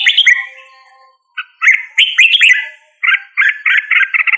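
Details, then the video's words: Red-whiskered bulbul song with a slurred whistle and a pause, then chirpy warbles, ending in a rapid run of repeated bubbly notes. "Red whiskered Bulbul Singing Call Sound | Red whiskered Bulbul Bird Singing"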